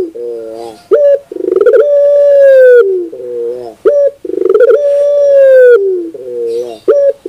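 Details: Barbary dove cooing for a 2021 training recording. It repeats a phrase about every three seconds. Each phrase has a soft low note, a sharp short coo, a rolling pulsed lead-in, then a long loud level coo falling at its end.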